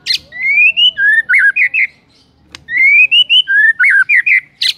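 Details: White-rumped shama song used as a morning lure to make birds sing: clear whistled phrases rising in steps, then looping warbled notes, a pause, and the phrase repeated.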